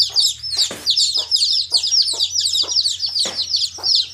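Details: High, piping chick peeps pour out from many birds at once, overlapping constantly, while short knocking or pecking sounds recur every half second or so.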